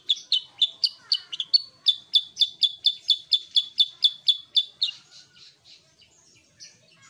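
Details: Vigorous song of a sooty-headed bulbul: a long, steady series of around eighteen bright, clipped high notes delivered rapidly and evenly, trailing off into soft, faint twittering.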